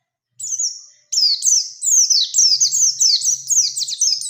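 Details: Oriental white-eye pleci challenging a rival in the 'ngalas ngerol nembak' style: one thin sustained whistle, then a steady rolling series of bright, high downslurred notes, with a faint low hum beneath.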